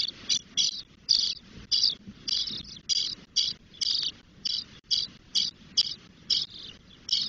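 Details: Ten-day-old spotless starling nestlings in Doñana National Park, Spain, begging while the female visits with food and removes droppings; short harsh, wheezy rasping bursts repeated about twice per second, separated by brief gaps, with soft nest rustling underneath.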